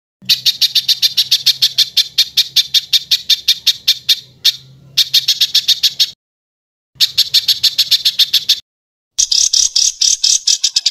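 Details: Bird song in the rough 'tembakan kasar' burst style, compiled as tutoring material for caged cucak ijo and murai batu: fast, harsh, evenly spaced high notes in long rattling runs, cut by abrupt silences, over a faint low hum.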